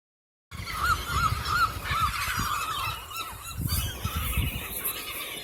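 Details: Seagulls being fed lunch outside at Rockaway Beach: a series of short, squealing, arched calls repeated several times a second, then a wash of overlapping cries over low rumbling wind and background noise.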